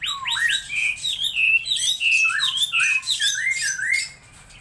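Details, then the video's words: Laughingthrush pouring out a rich, continuous warble of slurred whistles, dipping and rising notes tightly strung together, fading away in the last half second. "Chim Mi hót đỉnh"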